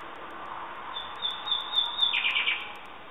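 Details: Common nightingale singing: a few high thin whistled notes, then a quick burst of rich, slurred, buzzy phrases near the end, over steady background hiss.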